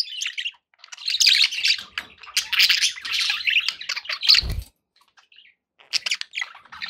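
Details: Budgies in a happy group warble and chirp in bursts, broken by a dull knock and a short silence, then more chatter.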